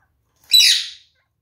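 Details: A kakariki, one of a red-fronted pair that had grown affectionate, gives one harsh, high squawk about half a second long, noisy and bright with no clear tone, then silence, as the birds curiously inspect a newly installed nest box.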